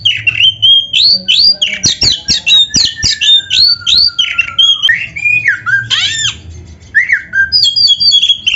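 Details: Oriental magpie-robin song meant as a master recording for training birds: a fast, continuous series of loud whistled upslurs and slurred notes, some harsh and scratchy, with a long thin descending whistle in between.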